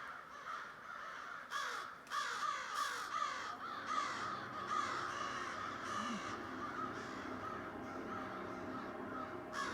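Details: Thousands of crows calling together in a large flock, a dense overlapping wash of harsh caws with repeated bursts roughly every second; an odd steady background noise runs underneath.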